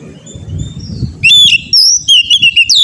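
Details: Oriental magpie-robin, an untrained kacer bird used for song training: after a quiet start with low background rumble, a loud burst of clear whistled notes, sweeping and slurred, broken into short repeated phrases.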